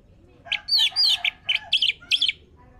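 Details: Orange-headed thrush song played as a lure to make it sing: a quick string of short, bright whistled and chattering notes with slurred high phrases, over a quiet background.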